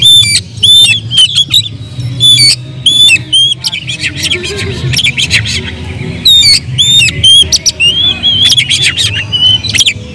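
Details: Oriental magpie-robin singing with full agitation as a provoking lure, mixing bright whistles, wavering warbles and harsh scratchy bursts in quick succession, with a low hum beneath.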